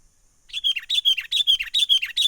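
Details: Wild sooty-headed bulbul in full menggaruda lure call for trapping: a fast, continuous series of bright, bubbly chirps, each dipping in pitch, repeated steadily about five times per second.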